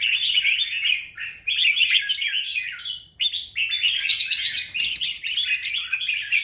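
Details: Courting male red-whiskered bulbul, recorded 24 January 2024, belting out dense, shrill warbling strings of quick chirps that climb higher toward the end, with one brief silence midway.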